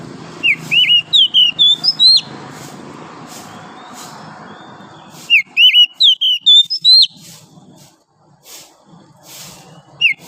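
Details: Wild oriental magpie-robin singing in the morning in forest: two bursts of sweet, varied whistled notes, rising and falling slurs in quick succession, separated by a quiet pause with faint background hum.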